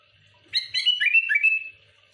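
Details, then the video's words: Sooty-headed bulbul singing energetically to provoke rival bulbuls: one bubbly phrase of bright, warbling whistled notes that slide downward over about a second. The background is otherwise quiet. "Suara burung kutilang gacor muntahin isian tembakan rapat menekan lawan bikin kutilang lain emosi"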